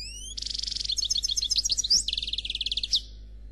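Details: Black goldfinch of khalwi song type singing faultlessly: three rising whistled slides, then a dense chattering trill, varied twitters and a long even pulsed trill, all high-pitched, with a soft hum below.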